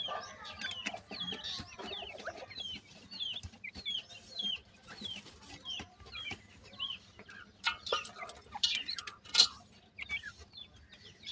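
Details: Several high, thin, down-curving chick peeps from grey francolin chicks in Pakistan, tumbling over one another in irregular bursts. A few sharp knocks and rustles are heard in between.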